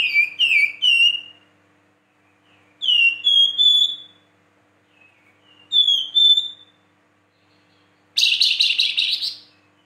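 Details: Energetic caged flamboyan singing clear whistled phrases, each a few quick rising-and-sliding notes repeated roughly every three seconds, then closing with a harsh, buzzy chattering burst; no other sounds.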